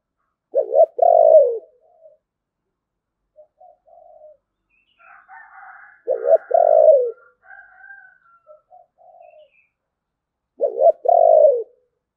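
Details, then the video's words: Spotted dove singing in the 'thổ bầu' style, repeating a two-part phrase of clipped notes and a long falling coo about every five seconds, with soft quiet murmurs in between. "cu gáy giọng thổ bầu, nghe cũng hay phết"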